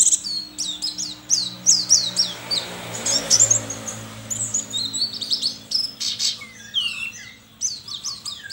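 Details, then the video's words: Singing-contest white-eye from Sambas, West Kalimantan, rattles off rapid high chirps and zigzag twitters in quick runs, broken by a short noisy burst midway, then resuming with scattered squeaky notes. "LOMBA PLECI ONLINE 9 - Aksi Pleci KERAMAT"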